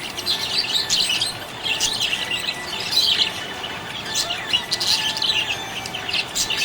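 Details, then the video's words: ['Budgerigar chirping happily: busy high warbling chatter in uneven bursts, scratchy notes interspersed with a few clearer rising whistles.'] "Happy budgie chirping sound"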